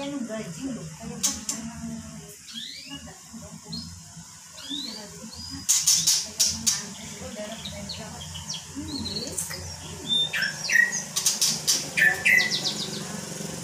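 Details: Magpie-robin chattering and said to mimic the words "Pak Jokowi", recorded without editing: a varied run of short chirps, rising whistled slurs and clicks, with bursts of scratchy noise and faint background hum.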